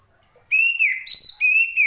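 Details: Orange-headed thrush song used as a tutor recording for training other cage birds: clear whistled notes near mid-high pitch, a long slightly rising then falling whistle followed by two more sustained whistles, strong overtones, quiet background.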